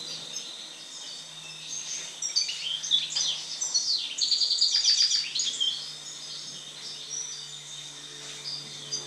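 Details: European goldfinch song following the moult: a burst of bright tinkling twitters and buzzy rattles in the middle seconds, fading to near quiet with a steady background hum.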